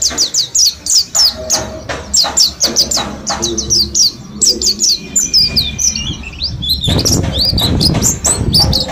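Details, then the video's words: Mountain white-eyes from Slamet, housed as a group and learning ngalas forest song: steady chains of sharp high descending notes, then twisting buzzier phrases near the end amid background rustle. "Pleci gunung slamet ombyokan 10 hari belajar ngalas"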